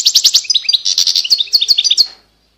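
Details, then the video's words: Dense, rapid twittering from a European goldfinch: a continuous string of sharp, metallic chirps and liquid notes for about two seconds, ending abruptly into silence. "Chant De Chardonneret"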